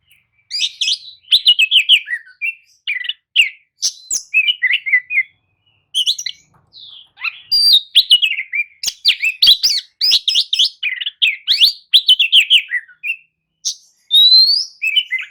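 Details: Oriental magpie-robin lure song, meant to spur sluggish magpie-robins to answer and sing: loud, varied phrases of clear whistles, rising sweeps and scratchy notes in quick bursts with brief pauses, quiet background.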